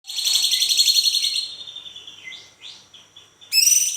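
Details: Cucak cungkok (bulbul) delivering a long rolling song used to lure other birds into singing: a high, fast, trilling roll, brief lower notes, then the roll resumes.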